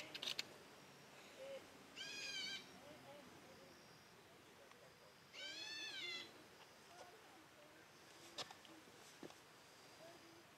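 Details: White-bellied green pigeon on 22 February 2012, morning; two separate wavering, nasal mewing phrases about three seconds apart, each half a second long, over soft background hiss with scattered ticks and clicks.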